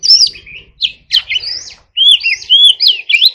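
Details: Oriental magpie-robin (kacer) delivering its lively 'hót líu' song: looping, warbled whistles that bend up and down, split into two short bursts by a brief silence.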